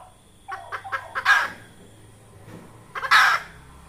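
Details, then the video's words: Red junglefowl hen, a call used by trappers to lure junglefowl: four quick rising clucks building into a loud raspy squawk, a pause, then a second harsh squawk. "Tiếng gà mái rừng"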